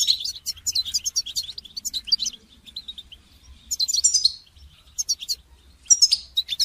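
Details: A goldfinch sings for song training with quick, high twittering phrases, a pause of soft chirps, then renewed bursts of bright, tinkling, slightly buzzy notes.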